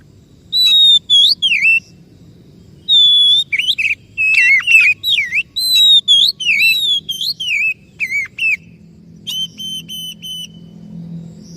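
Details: Oriental magpie-robin lure song for prompting a bird that has stopped singing: bursts of rich whistled notes, rising and falling, in quick varied phrases with brief gaps between, fading to softer notes at the end over low background hum.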